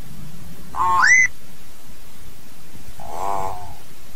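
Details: Hill myna singing to gather its flock: one loud harmonic note that bends upward into a clear whistle, a pause, then a softer, lower nasal buzzing tone.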